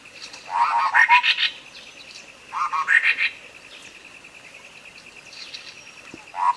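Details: Sooty-headed bulbul song used as a tutor recording to coax a silent bird into singing: two short bubbly phrases of quick gurgled notes rising into higher slurred whistles, over a steady pulsing high-pitched buzz.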